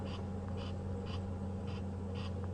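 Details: Roller alarm-calling at a serval, an adult, during a sunset safari drive in South Africa, harsh, rasping notes, five short bursts about every half second, over a steady low engine rumble.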